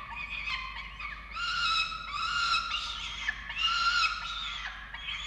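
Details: Falcon chick feeding at a nest in Orange, Australia, filmed 13 November 2022; long whining, harmonic wails swell and fade in overlapping phrases, ending in a falling note.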